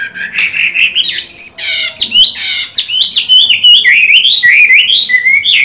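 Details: Caged Chinese hwamei in moult, still in good voice, pouring out a continuous loud song of rich slurred whistles, rising sweeps and quick warbled notes with short harsh bursts.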